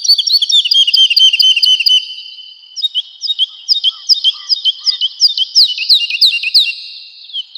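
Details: Spring forest woodlark singing, a quick rolling trill followed by slower, separated whistled notes sliding downward, with soft background chirping.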